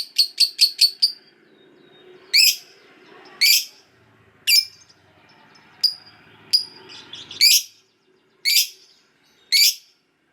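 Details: Lovebird of the fighter type giving its long ngekek chatter, meant to prompt silent lovebirds to sing: a fast run of sharp, harsh high chirps, then loud raspy bursts about once a second with quiet gaps.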